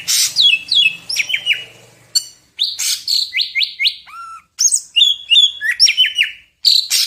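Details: Greater green leafbird, Medan, singing full isian. It gives loud repeated downslurred whistles in quick series and a lower clear upward-curving note, with short harsh bursts between phrases.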